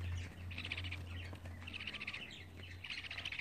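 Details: Budgerigar chicks aged 24 days giving scratchy, buzzing chirp phrases three times, with a constant low droning hum in the background.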